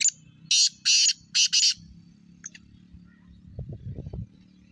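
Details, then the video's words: Black francolin (kala teetar) calling: three loud, harsh, buzzy notes in rapid succession, then a brief fainter note, followed by low rumbling background noise. "Black francolin voice"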